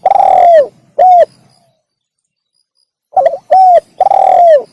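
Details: Spotted dove cooing to call in wild doves: a long rough coo and short coo end one phrase, then after a pause a new phrase of stammered notes, a round coo and a long falling rasping coo.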